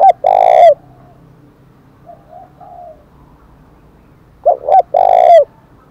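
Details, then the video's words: Spotted dove in the 'thổ đồng' voice style, giving the 'thúc' challenge coo used to provoke fighting. Two loud phrases, each short hooting notes then a long low coo, about four seconds apart. Fainter distant coos are heard in between. "cu gáy giọng thổ đồng chuẩn nhất, tiếng chim cu cườm THÚC đấu vang cả buôn làng, cu cườm gáy"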